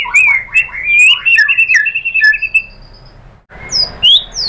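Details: Shama lure song meant to make another bird sing its full repertoire. A rich run of rising and falling whistled notes is followed by a quiet gap and a few sharp, high, upward-sweeping calls.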